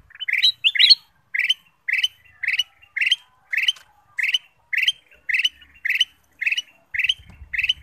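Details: Kutilang emas, or ruby-throated bulbul, delivering a clean, rhythmic lure song of short bubbly warbled phrases repeated nearly twice a second in an otherwise quiet setting.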